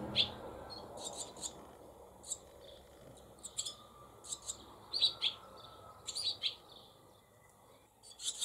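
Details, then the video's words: Brood of Barn Swallow nestlings in a cowshed holding several nests, 28 July 2024; short, high chirps come in scattered bursts and small clusters with pauses between them, over a faint low rumble. "HIRONDELLE RUSTIQUE - 28 07 2024 - NICHEE"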